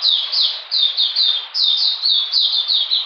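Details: Short burst from an Oriental magpie-robin on a cold, rainy 13 June 2020 while being dewormed: clusters of three or four loud, high chirps, each sliding down in pitch.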